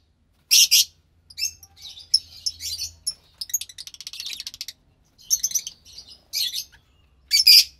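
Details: Two pastel lovebird chicks on March 3rd, 2021; sharp scratchy squawks alternate with soft rapid ticking chirps and short silences.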